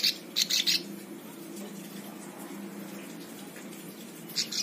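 A Plain Prinia gives quick bursts of high, buzzy chirps, three or four at the start and a pair near the end, over a steady low hum.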